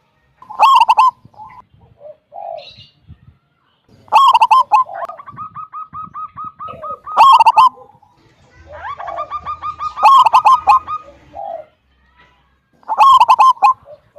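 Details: Local wild zebra dove with a big 'kung' voice, singing actively to lure other doves into song: loud harmonic cooing bursts about every three seconds, separated by quieter runs of rapid evenly spaced notes.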